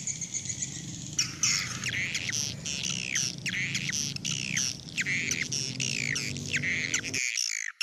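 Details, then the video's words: Lure sound meant to draw swiftlets back to the house: after a second of hiss, loud chattering chirps begin, many sweeping sharply downward, repeated in quick series, ending in an abrupt cut to near silence. "ÂM THANH GỌI CHIM YẾN VỀ NHÀ"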